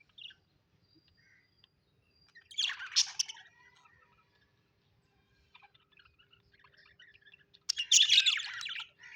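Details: Happy pet budgerigars give two separate loud scratchy bursts of chatter with faint isolated chirps in the quiet stretches between.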